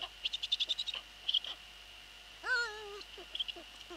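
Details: Eurasian eagle-owls at a nest late on 11 April 2013, 23:41, as the male arrives with a pigeon for the young. A series of short high squeaky notes, then a wavering, drawn-out nasal call, over a steady electronic whine.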